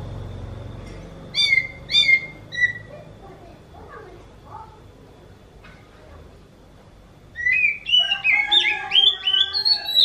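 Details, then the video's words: Oriental magpie-robin with a kitten-like meowing song: two or three sharp mewing whistles, a quieter gap with faint notes and background murmur, then a dense, excited burst of varied slurred whistles at the end. "Viral burung kacer ini suaranya mirip seperti anak kucing"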